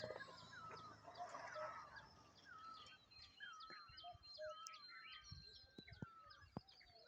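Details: Wild birds calling outdoors: many short whistled and slurred notes from several birds overlap, some falling, some rising, with a few sharp clicks over steady background noise.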